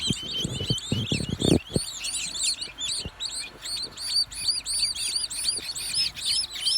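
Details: An unidentified bird singing, offered for meditative, mindful listening: dense, rapid high chirps repeated continuously, with brief low thumps in the first seconds.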